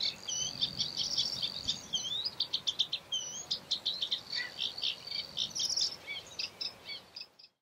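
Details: Eurasian reed warbler in Doñana National Park, Spain, in April 2011, delivering a fast, jerky chatter of repeated grating and twanging notes about four per second, ending abruptly.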